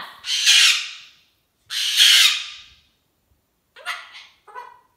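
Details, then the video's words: Pet cockatoo in a hormonal temper tantrum, giving two long, harsh, broadband screams about a second and a half apart, then shorter rasping squawks. "Cockatoo Turbo having a hormonal temper tantrum"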